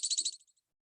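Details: A marsh wren singing from the top of a reed in spring nesting season gives a quick, dry rattle of about five high, buzzy notes in under half a second, trailing into a few fainter ticks.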